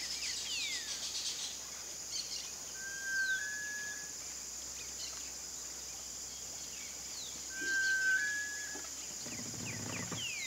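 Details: Sunbittern giving a long, level, clear whistle, repeated twice several seconds apart, over steady high insect hiss with faint thin calls from other birds.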